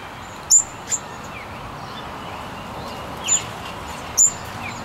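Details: Double-eyed fig parrot giving short, sharp, very high-pitched single notes, four calls spaced irregularly across a few seconds, with a steady hiss of background noise.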